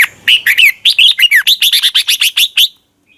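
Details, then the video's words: Thai red-whiskered bulbul singing a training song for young birds: an unbroken run of about fifteen short, clear whistled notes that rise and fall, lasting close to two and a half seconds before stopping. "นกกรงหัวจุก | Thailand bird, 30 นาทีทุกเช้า เพื่อให้นกเรียนรู้ที่จะพูดได้อย่างรวดเร็วและหนักแน่น"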